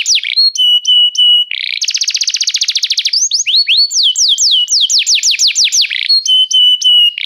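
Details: Restless canary song: clear steady whistles, a fast buzzy trill, then a series of loud descending swoops repeated about twice a second, closing with steady tonal whistles again.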